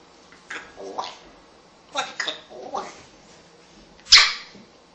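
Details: Female African Congo grey parrot, a mature rescue bird kept as a pet, talking in short mimicked speech-like phrases separated by pauses, ending with a sharp loud squawk.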